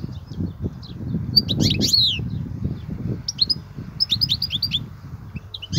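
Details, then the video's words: Goldfinch performing kobia-style song: clusters of quick, high chirps and sliding notes come in bursts, with a low background rumble throughout. "الحسون,- لغة الكوبيا الرائعة"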